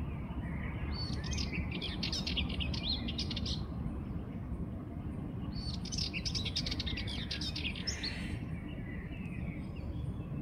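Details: Sardinian warbler singing two scratchy, chattering phrases of rapid high notes, each about three seconds long, separated by a short pause, over a steady low rumble of background noise.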